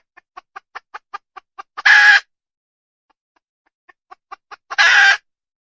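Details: Wild junglefowl hen calling: a run of evenly spaced short clucks speeding slightly, then a loud harsh drawn-out squawk, the pattern repeated twice with silence between.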